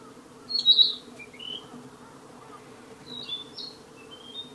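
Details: Narcissus flycatcher singing in the wild; high clear whistled phrases with slurred notes, two bursts about two and a half seconds apart, over a steady low hum.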